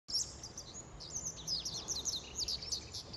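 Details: A Japanese wagtail in Shikokuchuo, Japan, at 08:25 on 23 May, heard for the first time in a long while, gives a rapid run of high, sharp chirps and twittering phrases over a low steady hum.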